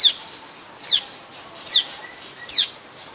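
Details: Adult common tailorbird calling in Ubon Ratchathani, Thailand, 27 January 2021: four strident falling notes, each a quick high slur, repeated evenly about every 0.8 seconds in a quiet setting.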